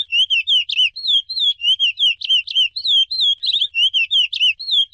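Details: Chestnut-bellied seed finch whistling an Icoaraci song: a clean, unbroken chain of quick looping and slurred whistled notes, with no other sounds in the background.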